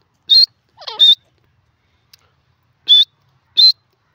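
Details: Desi teetar, grey francolin, calling: short high whistled notes, two at the start, then two more after a pause, with a brief lower wavering sound between the first notes.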